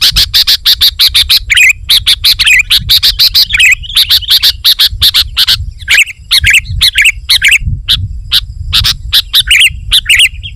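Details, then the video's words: Vigorous sooty-headed bulbul song for drawing in wild birds and pressing rivals: dense, fast strings of crisp chirps, ten or more a second at times, mixed with rising and falling whistled slurs, over a faint low rumble. "Suara Burung KUTILANG GACOR Rapat Menekan Lawan Ampuh Untuk Memikat BURUNG KUTILANG Liar"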